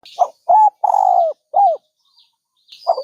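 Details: Dove cooing: a short soft note, two clipped coos and a longer drawn-out falling coo, then a short coo, all mid-pitched and hollow, with faint high chirps from another bird and otherwise quiet surroundings.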